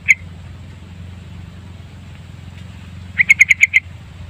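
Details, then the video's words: Trucukan, the yellow-vented bulbul, on a lure track with long full-content gacor singing: one lone sharp note, a pause of about three seconds, then a fast run of six ringing notes, with a low hum throughout. "Kicauan Burung Trucukan Pikat Gacor Panjang Full Isian"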